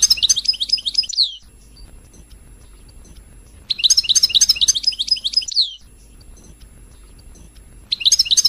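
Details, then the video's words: European goldfinch song for stimulating singing: rapid, high, tinkling twittered phrases about one and a half seconds long, repeated every few seconds with quiet gaps between. "تغريد الحسون الملكي 🔥🔥🔥🔥 لتهييج"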